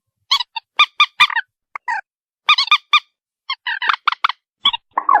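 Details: Loud, honking calls from a white-breasted waterhen in irregular runs, mixed with a few rougher, gurgling notes at the end; no other sounds.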